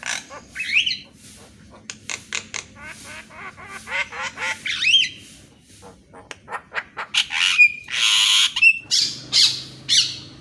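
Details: Energetic morning song of a Javan myna, meant for training birds that rarely sing; creaky rattles and series of rising slurred notes, then a loud harsh screech with piercing whistles.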